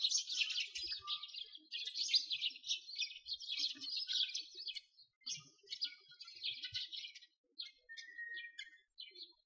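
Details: Sparrows chirping in winter near a frozen lake, Bratislavsky Park, Moscow: rapid, tightly packed high tweets in loud bursts that break off into short gaps and thin out toward the end.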